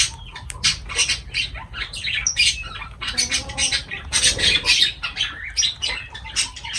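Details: Lovebirds feeding, with dense, piercing squawks and chatter almost without pause, sharp rasping notes stacked together and peaking loudly midway.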